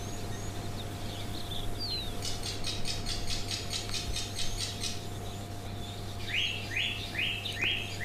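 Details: Black-backed puffback calling in the morning near an African waterhole on 19 October, a run of sharp, rapid clicks then several quick buzzy chirps, over a steady mechanical hum.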